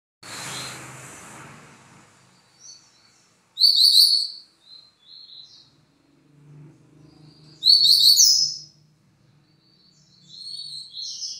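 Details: Double-collared seedeater singing two bright, fast twittering phrases of rapid high notes about four seconds apart, with softer trailing chips between them and a brief hiss at the start.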